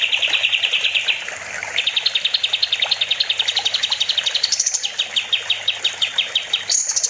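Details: Master song of a sooty-headed bulbul (kapas tembak) for teaching other songbirds: long stretches of very rapid buzzy chirping trills, shifting up in pitch twice, with a short pause near the start.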